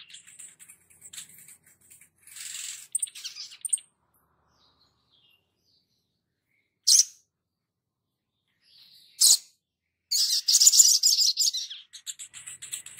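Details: Sogon (crested jay) in active song, mixing soft scratchy chatter and isolated sharp high notes, then ending in a long, loud, stuttering metallic rattle.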